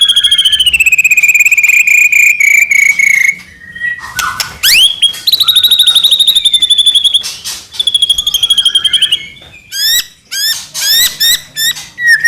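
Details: White-rumped shama of the Medan strain in energetic song meant to spur other shamas: long clear descending whistles, sharp upsweeps, rattling bursts and a run of short rising whistled notes.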